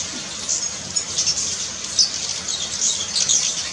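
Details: A brown violetear at Finca Alejandría, Colombia, gives thin, very high chips and short twitters, scattered irregularly over a steady high hiss.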